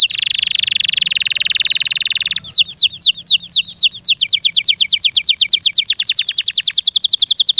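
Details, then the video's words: Canary kept in care gives a loud, high, rattling trill, then switches to a fast series of clear, downward-sweeping whistled notes repeated about eight times per second, steady until the end. "THE SOUND OF THE CANARY BIRDS"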